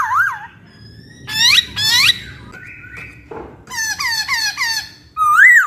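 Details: Laughingthrush master song for training songbirds: loud whistled notes that bend up and down, harmonic buzzy bursts, a flat tone and repeated falling slurs, over a low background hum.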